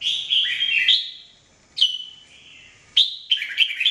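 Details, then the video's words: Singing red-whiskered bulbul in daily training: clear whistled phrases that start with a sharp upward note and slur downward, three phrases spaced over a few seconds in a quiet setting. "Training Jambul bird singing everyday 2017"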